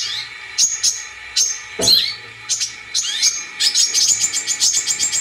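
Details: Kolibri kelapa, the brown-throated sunbird, gives sharp high chips and quick upward-sweeping whistles, spaced at first and then speeding into a rapid twittering series near the end.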